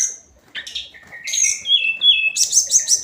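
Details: Daily hill blue flycatcher song: rising chirps leading into a long sliding whistled phrase, ending in fast high twittering notes.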